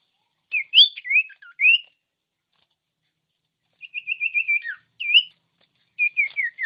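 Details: Common iora, singing to stir other ioras: a burst of slurred whistled notes, a pause, then a quick trill of about ten even short whistles followed by a rising note and falling slurred whistles.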